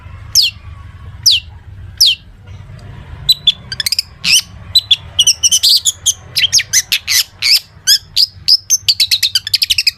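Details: Long-tailed shrike full song stuffed with imitations, used to make other shrikes sing: three spaced falling whistles, then an accelerating stream of sharp chirps and trills over a faint low hum.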